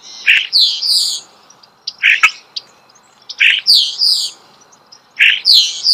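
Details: Nearby starling singing outdoors: a repeated pattern of a rough, buzzy note followed by two high falling squeals, recurring about every one and a half seconds.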